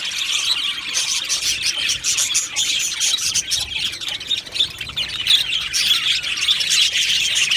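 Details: Budgerigars in an aviary keep up a lively mix of squeaky tweets, squawky notes and warbled chatter, many voices overlapping without a break.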